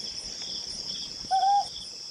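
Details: Ryukyu scops owl recorded in July 2020, giving a single short, clear, slightly rising whistled hoot, over a steady high shrill insect chorus.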